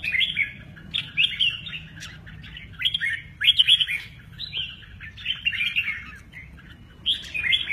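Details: Red-whiskered bulbul in "mơ ché nẹt" song style, playing its wings; bright chirpy whistled phrases come in bursts of two or three, separated by short pauses, with a soft low background hum.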